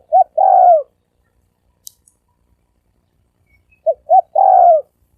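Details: Spotted dove coo in the "thổ sấm đồng" style, meant to lure males, females and wild doves: a phrase clipped at the start, a long silence, then a full phrase of two short notes and a purring falling coo.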